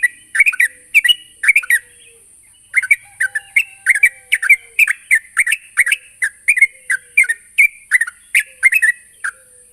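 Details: Sooty-headed bulbul rival call: long string of quick chirps and short slurred notes in loose clusters, with a brief gap near the start, accompanied by a continuous high hiss.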